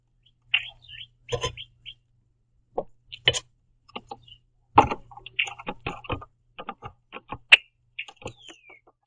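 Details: Red-winged blackbird (Agelaius phoeniceus) eating sunflower seeds at a backyard feeder in Southern Ontario, Canada, gives scattered sharp check notes and a thin descending whistle, irregular over several seconds, with clicks, knocks and a low hum.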